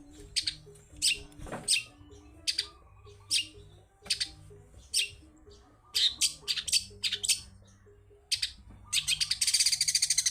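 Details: Lively, wild-style song of a long-tailed shrike, meant to coax quiet shrikes into singing: separate sharp, scratchy high notes spaced irregularly, a brief rushing sweep near the start, and a quick buzzy rattle at the end, with a soft low hum throughout.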